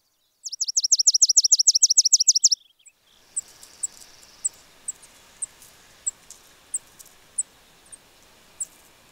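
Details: American Spizella sparrow singing a rapid trill of repeated down-slurred notes for about two seconds, then sharp, high chip notes spaced about every half second over a steady background hiss.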